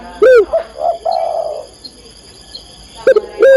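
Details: Calling female spotted dove summoning a male: a loud arched coo opens, followed by softer level cooing notes, a pause, then two more strong curved coos, with a thin continuous high whine behind.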